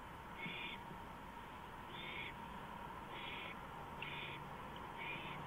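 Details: An owl at night on a porch, 2:05 AM, April 5, 2015. Five short, rasping hiss bursts come at uneven gaps of about one second, with a low steady hum underneath.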